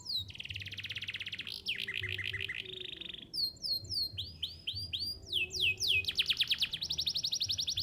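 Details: Canary singing to prompt young canaries to learn their song. It delivers long rolling trills that switch to rising, swooping repeated notes, over a faint low hum.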